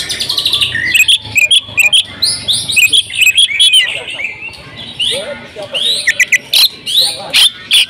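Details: Household female oriental magpie-robin in persistent mimic-rich song, opening with a fast regular series of chips, then varied loud whistles and high squeaky notes in uneven bursts.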